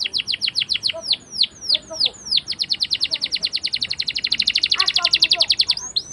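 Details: Canary in full rolling song, a lure for young canaries learning to sing: a run of steep downslurred whistles gives way to a long, fast, buzzy trill of rapid repeated notes, ending in a brief slurred note.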